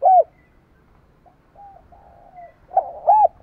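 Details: A spotted dove's low, hollow coos for daily dove voice training: one short loud coo, a stretch of faint drawn-out cooing, then a burst of stuttered notes and a loud rounded coo at the end.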